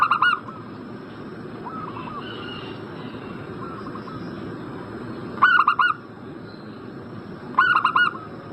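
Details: Zebra dove used as a call lure to coax a breeding bird into answering. Sharp multi-note coo phrases sound at intervals of a few seconds, with quieter, more distant cooing filling the gaps.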